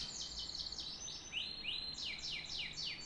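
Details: Canary giving a quick succession of about a dozen bright, descending slurred whistles, each falling sharply in pitch.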